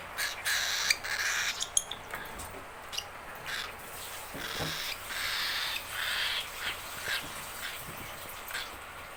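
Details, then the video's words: Baby cockatiel, hungry and calling for its keeper, making repeated harsh, breathy rasps, each about half a second long, with a few sharper chips early on. "Baby Rocky the Cockatiel hanging out Angry Hungry. Daddy Birb where are you?"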